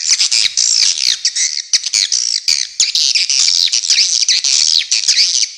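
Dense, overlapping high chirps and twitters from many swiftlets, with rapid up-and-down sweeping notes that barely pause.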